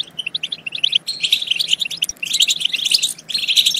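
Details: European goldfinch song played to stimulate goldfinches to sing and mate: rapid bright twittering chirps in quick bursts with short pauses near the one-second and three-second marks.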